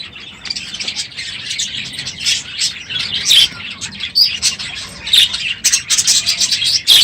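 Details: Morning noise from a full budgerigar aviary at the end of the breeding season: quieter chatter builds into louder clusters of high chirps, thin whistles and rough warbling notes.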